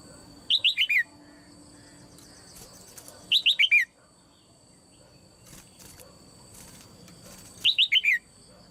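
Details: Caged female red-whiskered bulbul, calling so that other birds sing harder: three rapid runs of four descending whistled notes, about three and a half seconds apart, over faint tapping and a constant thin high tone.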